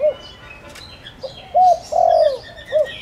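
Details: Spotted dove lure calling to bring in wild doves; an end note, then one full phrase of a hoot, a long downward coo and a short final note, over faint background twitter of other birds.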